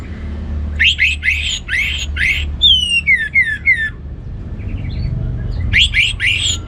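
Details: Orange-headed thrush singing ngeplong gacor style, played to encourage birds at home that are reluctant to sing. Harsh, buzzy rasping phrases lead into a run of descending slurred whistles, then more rasping notes after a pause.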